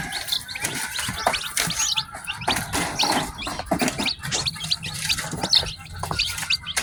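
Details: Newly hatched chickens, ten chicks in a farm batch, peeping in high short notes amid frequent rustling and handling knocks.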